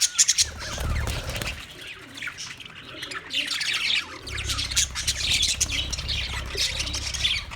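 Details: A flock of Australian parrots on March 15, 2024, squawking in dense, scratchy bursts with chattering overlapping calls, and a low rumble of background noise at the start and in the second half.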